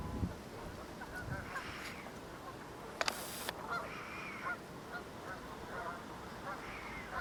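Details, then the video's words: Canada geese in a big migrating flock, stopped at a nearby pond on the way north to nest, mixed with ducks; scattered nasal honks rise above a steady hiss of flock murmur, with a sharp clatter partway through. "Sounds of Large Group of Canadian Geese and Ducks Migrating Back North"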